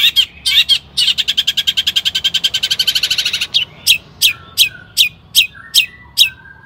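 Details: Long-tailed shrike in lively song used to excite other shrikes into singing: a fast, even, rattling trill of about twenty rapid notes, followed by single sharp downslurred notes at steady intervals.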